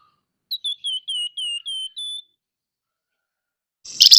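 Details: Whistled, downward-sliding notes from a scaly-breasted munia in nyerecet chatter, seven quick repeats in under two seconds, then silence and a short harsh rustle.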